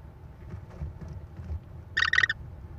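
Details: American kestrels at a Wisconsin nest on May 13, 2021, a mother bringing prey to feed her four chicks, filmed by a nest camera: one short harsh, buzzy burst near the end after low rumbling background noise.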